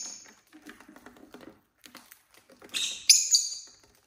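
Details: ['Pet lovebirds in a household group of six on a relaxed Saturday: soft scratching and pattering, then a burst of rapid, harsh, high chattering screeches toward the end.']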